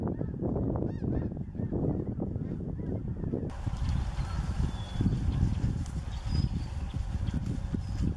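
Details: Snow geese from a flock of about 50,000 that return yearly to Mallard Corner, Arkansas: a massed din of honking for the first few seconds, then a low rumbling roar with only scattered faint calls.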